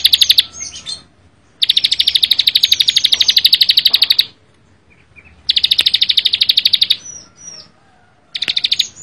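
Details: Bar-winged prinia (ciblek sawah) singing in bursts: several runs of quick, high, buzzy notes, each a few seconds long and separated by short silences, with a few faint thin whistles between runs.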